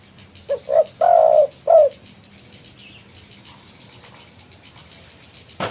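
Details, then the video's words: Spotted dove calling a rival, suited to lure trapping: one low phrase of two short coos and a longer, burry coo ending in a brief final note, then quiet background and a sharp noise at the end. "BURUNG TEKUKUR/DERKUKU GACOR MEMANGGIL LAWAN COCOK BUAT MIKAT"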